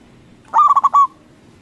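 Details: Local zebra dove with a big, loud voice, used as a lure to make rival doves answer. One quick phrase of five rhythmic, rolling coos, with the last note drawn out, over a quiet background.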